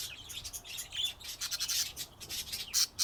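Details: Dense, continuous budgerigar warbling: rapid, raspy high notes running almost without break, several loud squawky bursts toward the close.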